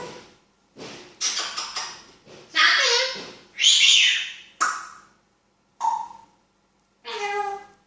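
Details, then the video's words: Talking African grey parrot indoors; a string of loud speech-like bursts, some noisy and hissing, others tonal with clear harmonics, separated by short gaps. "Talking African Grey parrot"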